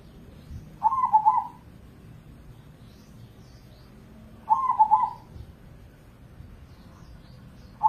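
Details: Crossbred zebra dove known for frequent singing at any hour. Rolling, pulsed cooing phrases repeat roughly every three and a half seconds, each under a second long, with a third just starting at the close.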